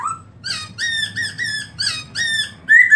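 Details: Black-throated laughingthrush recorded in 2017, singing loud, harsh, richly layered notes in short bursts, each roughly a third of a second, ending in a brighter, cleaner rising phrase; steady low hum underneath.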